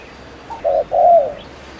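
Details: Lure spotted dove from Ninh Thuận, Vietnam, giving a quick provoking coo to stir males: one faint lead note, a short level coo, then a long, fuller coo that slides downward.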